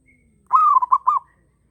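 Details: Local zebra dove in strong breeding condition gives a single cooing phrase: one drawn-out mellow note followed by two quick rounded coos, clear against a quiet background.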